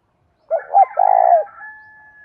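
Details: Calling decoy spotted dove, meant to lure wild birds, gives a short-short-long coo. Overlapping higher whistled notes from other birds sound at the same time, with one long thin whistle continuing after the coo ends.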